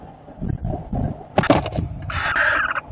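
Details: Barn owl recorded during copulation, 30 April 2018: a harsh, broadband screech rises out of low rumbling noise in the second half, lasting under a second.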